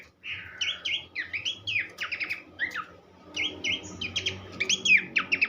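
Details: Horsfield's babbler tutor song for teaching songbirds: bright whistled slurs and clipped chattering notes in rapid groups, a short pause near midway before another burst of sharp, high phrases.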